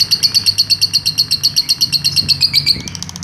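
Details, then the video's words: Long ngekek trill of a lovebird, used as master audio for training other birds: steady series of sharp high chirps, nearly three a second, evenly spaced before trailing off, soft low hum behind. "masteran lovebird ngekek panjang"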